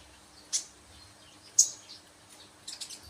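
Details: Sunbird giving three sharp, very high chirps spaced about a second apart, the last one a short, quick flutter of notes, over a quiet background.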